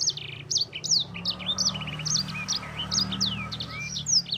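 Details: A sanger sings a tutor song for training other birds: bright, high slurred chirps repeated in a quick, lively sequence, with some short trilled notes and a steady low mechanical hum beneath.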